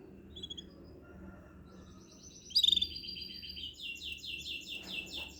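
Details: Canary song starting quietly with faint scattered notes, then bursting into a loud high trill followed by a steady series of repeated descending whistles over a soft background hum.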